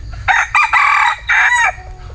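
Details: Bantam rooster crowing: a short, loud, harmonic crow broken into three strained bursts over about one and a half seconds, the last syllable ending in a falling tail, over a faint low rumble.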